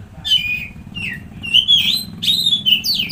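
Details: Oriental magpie-robin song used as a lure to stir a stressed or silent bird into singing: sweet whistled phrases, rising and falling, some slurred downward, in a steady run, with a low background hum.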